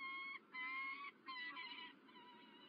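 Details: Peregrine falcon at Illkirch-Graffenstaden, France, on the morning of 27 January 2023, gives three drawn-out, harsh, nasal wailing notes within three seconds over a soft steady hiss.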